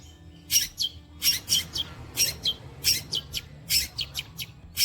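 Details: Mimicry song from a long-tailed shrike copying sparrow, walang kecek, kuntilanak and petir sounds; sharp high chips and short buzzy notes repeated in uneven groups, about one to two per second.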